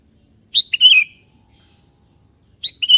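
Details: A 'kebo' sooty-headed bulbul calling out to a rival, which answers: one bright bubbly whistled phrase falling at its end, then a second phrase beginning after a short silence.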